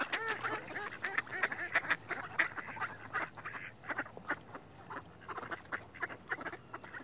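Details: Mallard ducks in a busy chorus of overlapping nasal quacks, short harsh calls tumbling over one another in rapid, uneven bursts throughout, with no other clear sounds.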